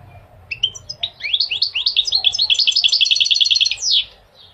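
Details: Goldfinch singing a fast run of bright, tinkling twitters that quickens into a dense rapid trill of repeated notes, ending in a sharp upward sweep.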